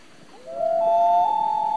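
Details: Common loon at night starting a wail: a low note that slides upward, then a clear, steady mournful tone held for over a second.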